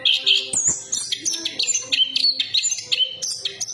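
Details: Chestnut-capped thrush song opening with a buzzy trill, then a string of bright, clipped whistled notes at varying pitch, each lasting a fraction of a second.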